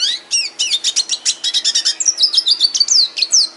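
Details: Aviary red siskin sings a rapid, high phrase of clipped chirps that shifts into repeated thin, downslurred whistles, all at a brisk pace.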